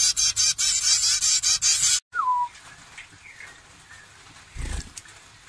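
Zebra finches give a quick run of harsh, nasal chirps, about six bursts in two seconds, then a faint falling whistle over a quiet background.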